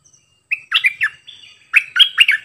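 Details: Caged decoy bulbul singing several song types: short bright whistled phrases, sliding and warbling, delivered in two quick bursts separated by a soft trailing note, with a quiet background.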